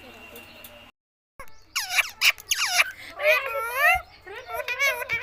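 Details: Parrot calling in a run of wavering, harmonic squawks and bent syllables, some rising then falling, delivered in quick bursts after a brief silence, with faint background hum.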